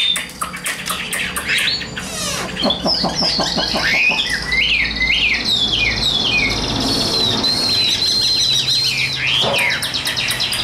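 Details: Newly arrived young Chinese hwamei, tame and carried in a hand cage, not yet in full condition, giving a long varied song of looping whistled phrases, rapid trills and a sustained wavering high note.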